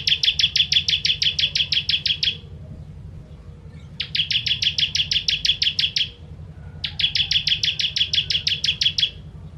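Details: Ciblek, bar-winged prinia, 'kristal' song in fiery 'tembakan' bursts for tutoring birds: three regular volleys of roughly eighteen rapid buzzy ticks each, about two seconds long, separated by brief silences, over steady low hum.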